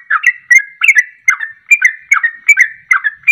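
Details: Rapid ropelan song of a sooty-headed bulbul, used to lure birds into following the song: chattering, burbling whistled phrases with slurred rising and dropping notes, repeated about every half second.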